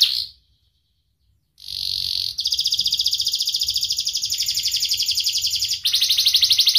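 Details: Canary song for teaching young canaries and lazy singers, by a young bird with a sharp voice: a brief note, a pause, then long rapid buzzy trills held for several seconds.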